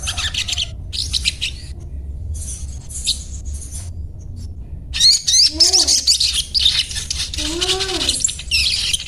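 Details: Crimson sunbird (sogon) with its daily 'cuet cuet' chattering: high, scratchy chirp bursts separated by pauses, then a louder dense twittering run, while a lower, arching, harmonic whistle sounds twice in the background.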